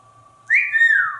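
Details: African Grey Parrot kept as a pet in a Texas home, playing indoors with its owner in the family room. A single bright whistle jumps up, then glides gradually downward over most of a second, against a faint steady hum.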